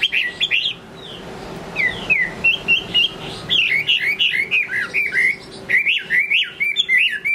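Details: Chinese hwamei song at the end of the day: a lively stream of short, bouncing whistled phrases, each note sliding up or down, repeated in quick succession above a faint steady hum.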